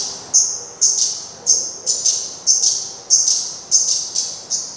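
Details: Black redstart at its nest, 24 May 2020, as the surviving chick flies off: persistent high whistled calls roughly twice a second, each paired with a short ticking note.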